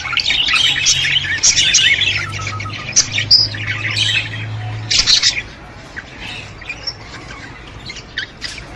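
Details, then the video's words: Budgerigar warbling to stimulate budgies: loud, dense chirping and squawky chatter for about five seconds over a low hum, then fading to scattered quiet chirps. "اقوي صوت يساعد على تحفيز طيور البادجي"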